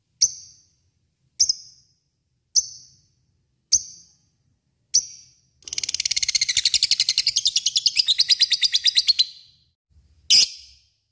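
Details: Lovebird calling an opponent: five separate sharp high squeaks about a second apart, then a dense three-second burst of fast chattering notes, closing with one more harsh squeak.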